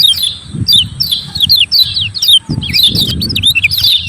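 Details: Lemon-bellied white-eye song meant to challenge rivals and get lazy birds singing: quick repeated high chirps in bunches, with a brief pause midway, over low rumble.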